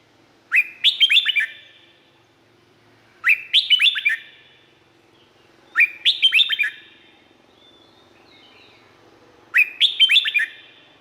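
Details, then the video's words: Red-whiskered bulbul song, Thailand: four matching phrases of quick, slurred, chirpy whistles, repeated roughly every three seconds, clear against a quiet background. "เสียงนกกรงหัวจุก สำหรับต่อ หรือ เปิดให้นกคึก เสียงเพราะๆ"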